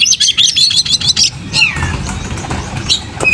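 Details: White-rumped shama kept in a cage, tail fanned while singing: a rapid burst of high chattering notes, then scattered whistles and downslurred notes over a faint low rumble.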